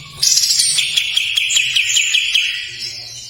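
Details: Kapas tembak in a long rough trill, a rapid buzzy rattle of repeated notes held steadily for about two seconds, with thin high whistles above and a faint low hum beneath.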